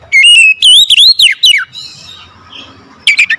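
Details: Oriental magpie-robin singing in the morning: loud, clear whistled phrases that slide up and down, a run of rapid notes in the first second and a half, a quiet pause, then a short whistled burst near the end.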